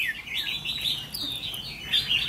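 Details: Red-whiskered bulbul of the 'mí lửa' sort, a trainee decoy bird being tested for attitude, sings a continuous chattering warble of sliding notes, swelling again near the end.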